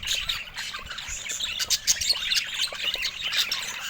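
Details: Budgerigars calling in a noisy cluster: harsh little squawks and shrill chirps tumble over one another in uneven bursts.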